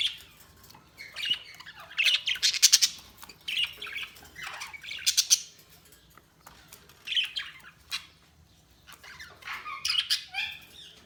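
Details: Several budgies chatter in short, repeated bursts of buzzy warbling and squeaky chirps, each flurry lasting about a second with quieter pauses between them, over eleven seconds.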